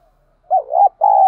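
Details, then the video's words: Short burst of spotted dove cooing from a lure recording for training doves: a mellow, dipping double coo followed by a steady, level coo note, cut off abruptly. "tiếng chim cu gáy tập bổi, chim cu gáy mồi thúc và gáy gọi(dùng kích bổi nhanh nổi)"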